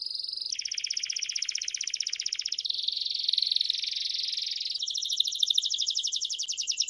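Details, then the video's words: Belgian crested canary singing a continuous chain of rapid trills, shifting every two seconds or so between rattling, buzzy and smoother high tours, with no pause and no other sounds. "CANTO DO CANÁRIO BELGA TOPETE CHAMANDO"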